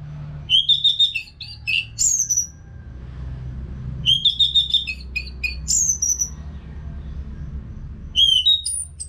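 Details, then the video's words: Orange-headed thrush singing, offered to prompt caged birds to sing along. Three bursts of fast, varied whistled phrases come roughly every four seconds, each mixing trills with sharp high slurs, over a steady low hum. "ANIS MERAH GACOR TIADA HENTI TANPA NGETEM"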